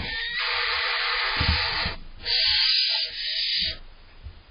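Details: Barn owl owlets in July, tussling over prey delivered by their father, the smaller younger one fighting hard for its share; long harsh hissing screeches, one sustained then a second after a brief pause, with some scuffling below.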